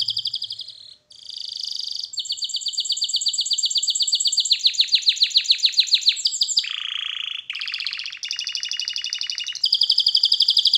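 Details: Training song of a canary, clean and close: bright sustained trills, a run of rapid descending sweeps, a deep buzzy roll, then more high repeated tours.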